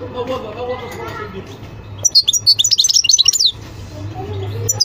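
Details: European goldfinch song: a dense, bright burst of high, tinkling, rapidly repeated notes for about one and a half seconds, with quiet background noise before and after.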